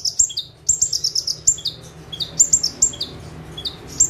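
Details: Ciblek (bar-winged prinia) in continuous full-tembakan song from a single perch: closely spaced volleys of sharp, very high chirps, each followed by a lower descending note, almost without pause.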